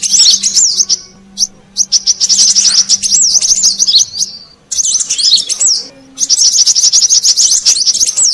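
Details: Lure call of a brown-throated sunbird for wild birds: long runs of rapid, high, sharp twittering notes in three main phrases separated by brief silences, over a soft low hum.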